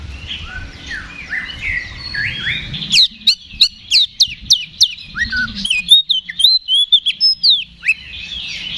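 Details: Aggressive fighting song of an Oriental magpie-robin meant to trigger a response: soft warbles, then a rapid string of loud, sharp, descending notes and twittered phrases, roughly three per second.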